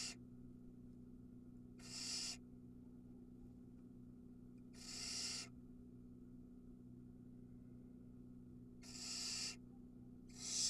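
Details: Barn owl nestling in Israel's Ram-on nest box begging around a feeding: four hoarse, hissing screeches spaced about three seconds apart, separated by quiet stretches with a steady electrical hum.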